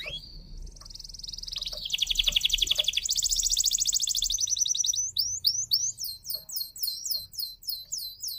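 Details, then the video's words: F1 canary song meant to get silent canaries singing again: buzzy trills building into a loud rapid rolling trill, then quick repeated descending whistled notes. "KENARI F1YS GACOR PANCINGAN KENARI MACET"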